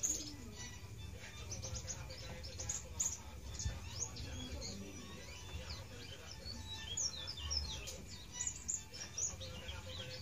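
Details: Male white-eye in soft subsong, throat-level warbling with an unclear rhythm that marks the bird as male; faint scattered high chirps and twitters run throughout over a steady low background hum.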